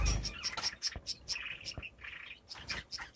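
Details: Captive male owl finch dancing for courtship around his cage floor, perches and feeding dish; a rapid series of short high chirps, then lower drawn-out nasal notes, with a thump at the start.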